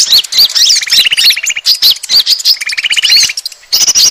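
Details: Asian glossy starling lure call for drawing in birds: high squeaky whistles, then two lower buzzy rattles, ending with a brief pause and renewed shrill notes.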